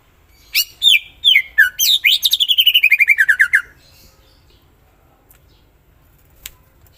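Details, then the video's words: Greater green leafbird, a kept songbird, in loud full song: sweeping whistled notes and varied phrases, then a fast run of about fifteen rapid repeated descending notes lasting over a second, followed by quiet. "Cucak ijo mana Saja akan ikutan bunyi dan gacor dengar c ijo ini bongkar isian full"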